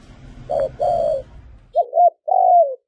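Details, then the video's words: Spotted dove cooing in a short burst: two slurred mellow notes, a pause, then a quick rising-falling coo and a longer drawn note, with light background hum. "Tiếng chim cu gáy có giọng gù hay nhất"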